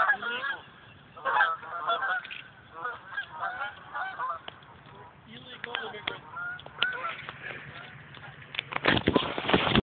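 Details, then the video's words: Very large flock of geese passing overhead in a V formation above a golf course, a continuous clamor of overlapping nasal honks, with a burst of wind or handling noise near the end. "Biggest flying vee of geese ever."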